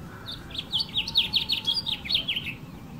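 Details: Brightly coloured male house finch singing to call females from a garden branch in a California backyard under a blue sky, other birds close by: a lively, jumbled warble of quick slurred chirps, rising and dropping, delivered in a steady three-second stream.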